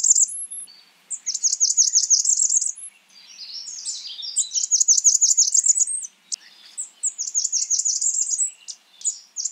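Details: A Blackburnian warbler calls in three rapid trills of high, thin, sibilant notes, each about a second long, interspersed with scattered softer high chips and a brief high upslur; no other noise.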